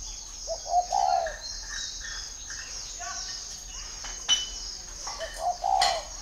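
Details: Spotted dove in Ba Vì, Hanoi, Vietnam, heard in two brief soft coo phrases at the start and end, separated by quieter rustling and a steady high-pitched hiss.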